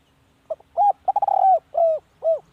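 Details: Single full coo phrase of a decoy spotted dove: faint opening notes, a rapid stammer running into a long smooth coo, then two rounded coos sliding downward.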